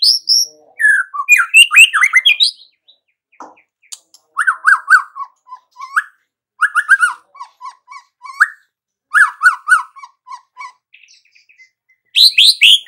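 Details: White-rumped shama singing in bursts: high swooping whistles, then groups of lower descending notes repeated in short series, separated by brief silences, with faint clicks between.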